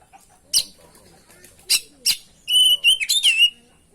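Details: Kacer, the oriental magpie-robin, in a recording used to train and lure other birds: three separate sharp, explosive clicks, then a sustained level whistle breaking into quick jumbled twitters and a falling whistle.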